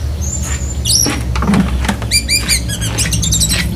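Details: Caged Black-breasted White-rumped shama mimicking a lovebird, cotton-wad style: clustered squeaky chirps and quick harmonic notes, with tapping and a constant low rumble.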